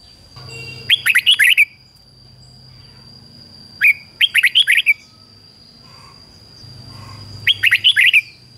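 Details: Caged decoy red-whiskered bulbul singing to attract wild bulbuls repeats a short phrase of five or six quick, warbled whistles roughly every three seconds, with a faint low hum and a thin steady tone behind.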